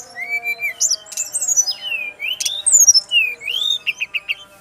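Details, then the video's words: Brown-chested Jungle Flycatcher, a Bali male, singing a run of clear rising whistles, wavering slurs and a closing series of short rapid notes, with a faint constant hum underneath. "SRDC laen langsung nyaut denger suara burung SIKATAN RIMBA INi"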